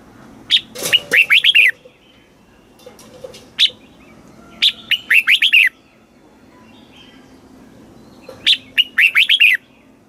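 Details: Red-whiskered bulbul kept in a cage in Thailand, southern master song played to excite birds and train chicks: three phrases about four seconds apart, each a sharp note followed by a run of five fast bright warbled notes.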